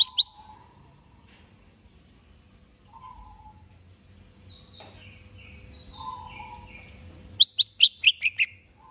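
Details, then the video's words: Greater green leafbird ready for a contest: scattered high whistles and lower warbles over a steady hum, ending in a fast burst of six loud, sharp downslurred whistles. "Cucak HIJAU siap diajak LOMBA"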